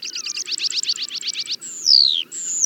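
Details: Meadow pipit of open grassy habitats singing: a run of about a dozen quick repeated high notes, then a long thin descending whistle and a sustained high tone.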